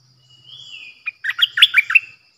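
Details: Decoy bulbul recorded 8 May 2021, giving a soft drawn-out whistle that slides upward, then a sharp single note and a fast burst of six or seven lively, warbled chirps, over a low faint hum.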